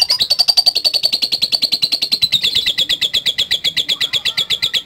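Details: Lovebird producing a long ngekek, a steady rapid series of grating high notes, slightly falling in pitch over the run.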